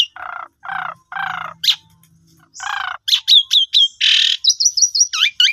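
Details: Asian pied starling song used as a lure to stimulate silent birds into singing: three harsh, buzzy low blocks, a pause, another rasping burst, then bright rising whistles and quick high chirps in a varied, rapid run.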